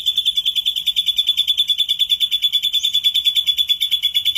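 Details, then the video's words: Ashy drongo in energetic lure song with rich mimicked fill. A continuous high trill of rapid, evenly pulsed notes, about six per second, holds throughout. "suara srigunting abu abu gacor PANCINGAN SADIS ISIAN MEWAH"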